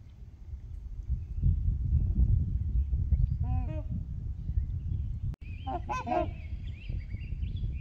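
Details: Trumpeter swans calling on Horseshoe Lake alongside geese, heard from a beach: a single resonant honk, then a louder, brassier burst, while other birds whistle thin songs in the background over wind.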